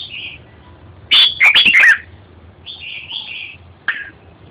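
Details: Song of a red-whiskered bulbul: a brief whistled note, a loud, rapid jumble of bright chirps with clicking, then softer rolling phrases and a final short rising note.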